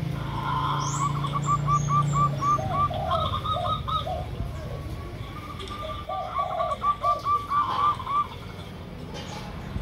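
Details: Lure recording of a local zebra dove (perkutut) with a derkuku: a low hum, then two fast trilling series of high clipped notes, each followed by deeper cooing phrases, repeated after a short gap.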